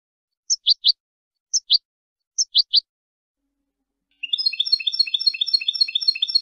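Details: European goldfinch training song for young goldfinches: three short groups of two or three sharp high chirps, then a dense, rapid, tinkling twitter that keeps going.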